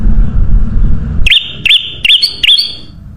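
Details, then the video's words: Sooty-headed bulbul singing, used as a lure recording to attract other birds: after a stretch of low rumbling noise, four bright, slurred whistled notes follow one another at steady intervals, each with a slight upward flick. "SUARA BURUNG KUTILANG EMAS UNTUK PANCINGAN DAN SUARA PIKAT"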